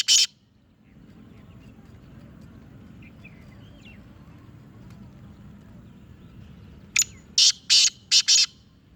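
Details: Black francolin, Sindhi Chirnga type, starts with one abrupt harsh burst, then a long quiet stretch. Near the end comes a rasping phrase: a brief high note followed by four loud grating bursts, the final two close together.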